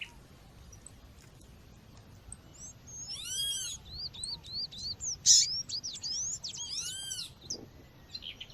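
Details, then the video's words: High chirping calls of a female coleiro or papa-capim, used with nature sounds to warm up males: quick upslurred and looping notes in bursts, broken by two loud, ringing arched whistles. "fêmea chamando com som de natureza esquente já seu coleiro ou papa capim"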